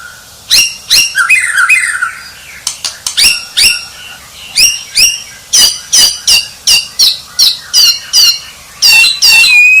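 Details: White-rumped shama, called a champion, opening with a descending whistled phrase, then delivering a long series of sharp, clicking high notes repeated roughly every half second, ending in a rising whistle.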